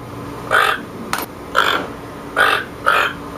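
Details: Four coarse croaks from a toucan, evenly spread, interrupted by one sharp click between the first two, over a faint steady hum.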